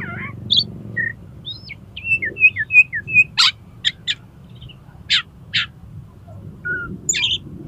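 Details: Oriental magpie-robin in the 'konslet' song style, used as a lure to get another magpie-robin to open its tail: a varied run of short whistles, slurred notes and sharp clicks, with a low hum underneath.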